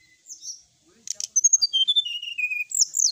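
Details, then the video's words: Sooty-headed bulbul in lively song. A couple of sharp clicks lead into a rapid string of piercing whistled notes that slide down in a long cascade. A high, varied twittering flourish closes it. "srdc gacor full isian"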